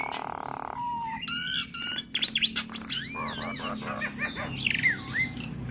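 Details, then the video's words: Nias hill myna singing, a recording meant to provoke starlings into song: buzzy harsh bursts, loud looping whistles rising and falling, and a final down-slurred whistle. "Kicauan Burung Jalak Akan Bunyi Jika Dengar Kicauan Jalak Nias Suara Unik"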